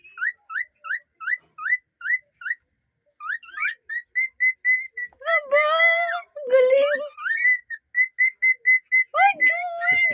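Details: A singing cockatiel (Nymphicus hollandicus) whistles a run of quick rising notes, then mixes in rougher, chattering phrases.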